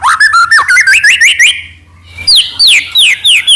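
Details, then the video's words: Singing white-rumped shama, a recording meant to provoke other shamas into song: a fast rising series of slurred whistles, a brief lull, then loud sweeping downslurred notes repeated about three per second. "murai batu gacor AMPUH buat PANCINGAN murai batu agar bunyi"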